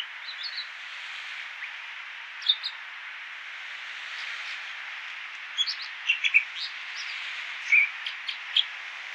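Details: Singing American dipper (water ouzel): scattered high chips, then a lively burst of varied sharp notes and a few louder calls toward the end, over an unbroken rushing hiss; road noise reduced.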